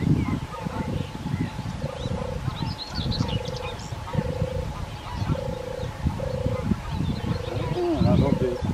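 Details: A European turtle dove, 25 April 2021, gives soft, low purring 'turrr' notes in a steady series, each about half a second long, over deep wind rumble and faint distant birdsong.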